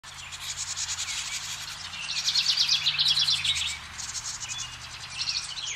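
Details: House wrens at a nest box where parents urge the last two of five nestlings to leave, filmed with a Canon SX70. Dense buzzy high trills come in bursts, loudest in the middle, over a steady low hum.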